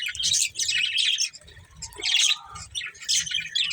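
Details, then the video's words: A breeding pair of budgerigars trades bright buzzy chirps in three or four dense bursts, with a soft low rumble beneath. "Beautiful Budgies Chirping Sounds"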